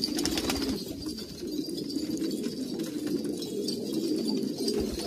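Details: Old pure-bred pigeons in Kabul, Afghanistan, a flock cooing together in a steady overlapping low murmur of soft rolling coos, with faint clicks and rustling in the background.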